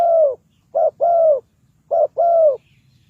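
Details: Spotted dove used to draw birds into a trap, giving loud clear low coos in pairs, a short note and a longer gently falling note, repeated about once a second.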